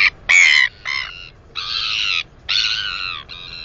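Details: A 218-day-old northern royal albatross chick squeals repeatedly in delight at herself during wing exercises on 9.4.20. Six loud, rich, wavering whee calls come in quick succession, some short and some long, with little background noise.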